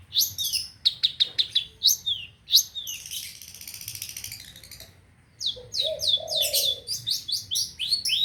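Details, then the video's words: Long-tailed shrike sound used as a lure for shrikes: a fast, high chattering song of varied sharp notes in quick bursts, with a brief lower whistled phrase and a pause midway. "Suara PENTET buat mancing burung penten macet"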